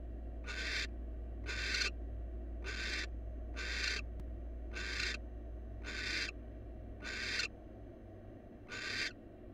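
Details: Rasping, noisy screeches from a wild barn owl of a new pair using a research nest box, eight short breathy bursts spaced roughly a second apart in a fairly steady rhythm, with constant low hum behind.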